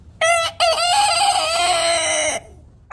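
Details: Rooster of a heritage chicken breed crows one long, powerful, evenly held note of nearly two seconds after a brief sharp opening syllable, ending with a dip in pitch.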